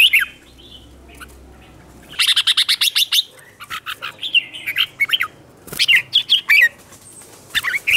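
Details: Red-whiskered bulbul fighting song from a wild-caught bird, aimed at provoking other bulbuls: dense volleys of sweet warbled notes, with a loud rapid burst early on and further phrases following closely.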